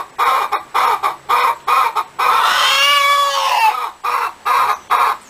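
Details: Hen cackling: several short, loud clucks, then one long drawn-out nasal note lasting nearly two seconds, then a few more clipped clucks. Low hum sits underneath.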